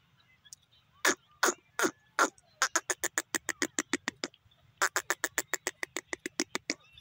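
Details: Grey francolin (teetar, a partridge) calling: a few harsh, widely spaced grating notes speed up into a fast, even series of rasping notes, pause, then a second rapid run of similar notes over faint low hum.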